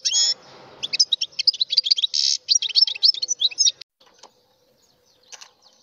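A European goldfinch sings a fast, liquid twittering phrase of bright, tinkling notes for about three seconds. A few soft chips follow in a quiet room.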